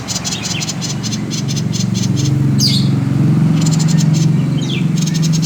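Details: Common iora, 'konslet' song used to lure other birds into singing: quick buzzy rattling pulse trains broken by two sharp downward-sweeping whistles, over a low humming background that grows louder.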